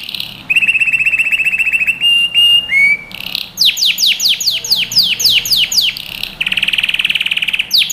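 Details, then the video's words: Yellow canary's training song for young birds: a fast buzzy trill, short whistles, a stretch of crisp falling notes, then a fast rattling trill. "Canary Singing | Melodies Canary Bird Song | Training Video"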